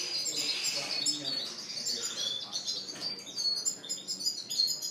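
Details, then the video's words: Caged Spanish Timbrado and Gloster canaries singing together in a bird shop on April 9, 2016; dense high trills and rapid chirps overlap continuously, with a faint voice in the background. "Singing Canaries"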